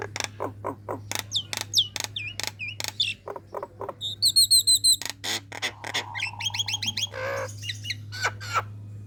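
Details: A female Nias hill myna calls out to males, luring rivals into sound. Irregular dry clicks and knocks mix with swooping whistles, a burst of rapid high chirps, and a coarse drawn-out rasp, all above a constant low hum.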